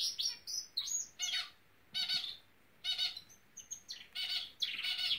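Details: Norwich canary song with harsh, rasping bursts between thin high whistles, about one burst every second, in a quiet indoor setting.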